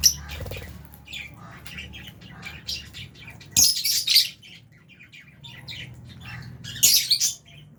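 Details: Albino and Fisher's lovebirds in an aviary colony with budgies, eating food; intermittent harsh high chirps and squawks in two loud bursts, with soft twittering and low hum between.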